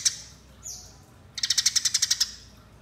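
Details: Fighting call of a Eurasian tree sparrow, used as a lure, a faint high slurred note and a descending squeak, then a second-long burst of about ten rapid, rasping chirps.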